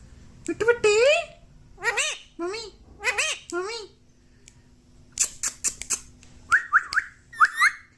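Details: Talking pet parrot said to say "mummy" and "papa", indoors; harmonic speech-like syllables with rising and falling pitch in short phrases, then a burst of clicks and several brief whistled notes.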